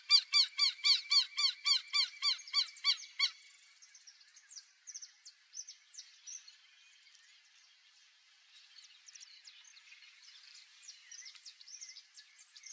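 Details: Black-bellied whistling duck (Dendrocygna autumnalis) in the Pantanal gives a fast run of about a dozen squeaky, whistled notes over three seconds; faint chirps from other small birds follow.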